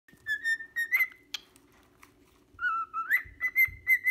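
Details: A 6-month-old pied cockatiel whistles "If you're happy and you know it clap your hands" in clear, level notes that rise and slide between phrases.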